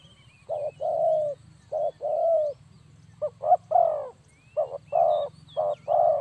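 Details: Spotted dove call, used as a lure for bird trapping: low, hoarse cooing notes in short groups, a brief note followed by a longer drawn-out coo, repeated with short gaps over a steady low hum.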